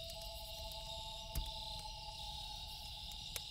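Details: A loon at night gives two sustained, even tones that carry through the whole stretch. Steady cricket chirring runs underneath, with loud pops from a crackling campfire.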